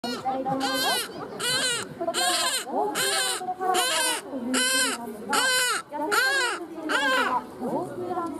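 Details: Striated caracara running around while calling during a bird show at Kakegawa Kachoen, Japan: harsh, arched, screaming calls with a buzzy overtone, repeated about once per second in a steady series, over a faint murmur of background voices.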